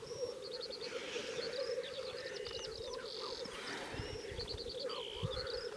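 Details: Black grouse males at a lek in swampy forest and bog in Slitere National Park, Latvia, keep up a steady, low bubbling coo during mating display, with small birds singing high above.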